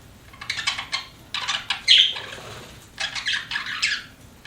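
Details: Pet budgies giving bursts of raspy, buzzy chirps in quick clusters separated by short pauses, with one sharper squeak in the middle.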